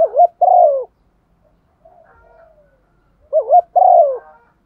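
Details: Two calling coos of a female spotted dove in 'thúc gù' style, used to stir decoys. Each is a quick wavering pair and a full, falling coo, with a quiet muffled coo in the pause.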